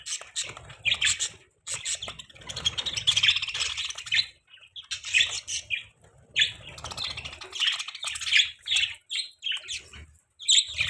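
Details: Budgies chirping in the morning, a lively stream of buzzy warbles, squeaks and twitters in phrases with brief gaps, over low rustling.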